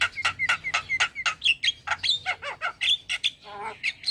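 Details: Male Javan myna singing so that mynas hearing it start calling: a rapid, fairly even series of rough notes, many topped with short whistled tones, running for about four seconds.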